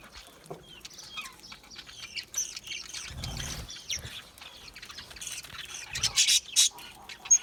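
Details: Australian budgerigar parrots chirping: a busy stream of high twitters that grows louder and denser toward the end, with brief low thumps in between.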